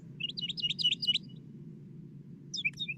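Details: A Northern Mockingbird on the Elon University campus, North Carolina, USA, sings a fast run of high, sweet chirped notes, pauses, then a short phrase of slurred whistles, over a low rumble; its song includes imitations of Northern Cardinal and Tufted Titmouse.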